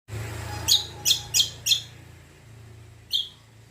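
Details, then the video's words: Greater green leafbird (cucak kombo) song used as a lure to prompt other birds to answer: four sharp, bright chirped notes in quick succession, a pause, then one more, over a faint low hum. "PANCINGAN BURUNG CUCAK KOMBO KECIAL KOMBO BAHAN MANAPUN LANGSUNG NYAUT"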